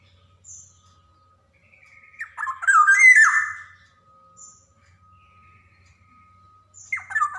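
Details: Black-naped oriole, an energetic singer, recorded as a lure to stimulate young birds to sing: brief high whistles and a steady faint tone, then a loud raspy nasal squawk, with another starting at the end.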